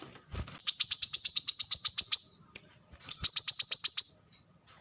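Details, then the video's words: Plain-throated sunbird singing fast in the 'tembakan rapat' style: a steady, rapid rattle of about eighteen high, sharp notes, a short pause, then a second shorter burst, recorded as training audio for caged birds. "kolibri kelapa | manggar | wiceh | korlap gacor tembakan rapat"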